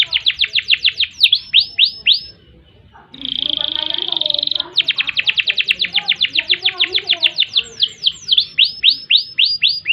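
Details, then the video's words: Canary song with long rolling tours: repeated downward-sweeping whistled notes, then a pause and a dense buzzy trill held steady, followed by rapid clicking rolls and more falling sweeps, each phrase repeated several times a second. "Kenari Gacor Panjang Ngerek Ngerol Nembak Mantap Buat Masteran dan Pancingan | Bird Singing"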